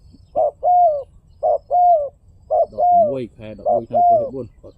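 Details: Spotted dove coos in pairs, each a short note then a falling slurred one, with a person speaking over the last few calls.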